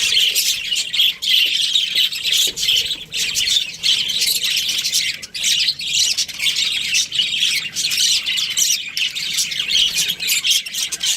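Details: Nonstop warbling chatter from a breeding pair of Australian budgerigars, rapid grating high notes running together without a break.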